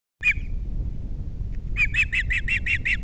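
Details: Osprey at a nest camera on Captiva with three chicks, 21 February 2022, the male alone after the female left: one sharp chirp, then a quick run of about seven high, piercing whistled chirps over steady low wind rumble.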